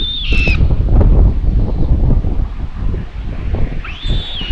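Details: At a common buzzard nest in Tiszalök, Hungary, watched by a solar-powered camera on 27 May 2022, the mother arrives with another chick as lunch. Two thin whistles open and close the moment, with gusty wind rumbling between them.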